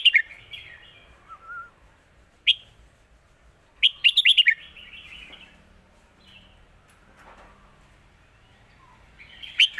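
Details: Red-whiskered bulbul singing the Lak Wai master song, several short whistled phrases across the recording, one a fast run of five or six notes, separated by quieter pauses with faint softer calls.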